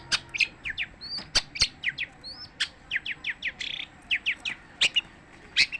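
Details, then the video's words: Long-tailed shrike in continuous song, a quick string of short downslurred chips and sharp clicks at a steady, lively pace, with a couple of upward-curving whistles and a brief buzzy trill mixed in. "kicauan cendet tanpa jeda"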